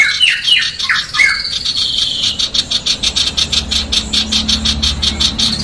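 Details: A female sooty-headed bulbul opens with a few quick downslurred whistles, then breaks into a fast, harsh, scratchy chatter of about four notes a second over a low hum.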